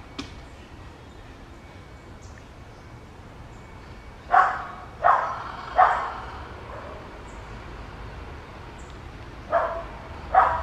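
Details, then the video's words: Colombian yellow-headed amazon searching for a nest to breed; after a quiet stretch, three loud harsh squawks in quick succession, then two more near the end, over a low steady background hiss. "LORO de cabeza amarilla colombiano buscando nido para criar"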